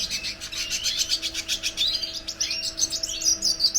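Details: Red siskin pouring out a quick, high twittering song of pulsed buzzy trills and upward-sweeping whistles, ending in bright chirps; soft steady hum in the background.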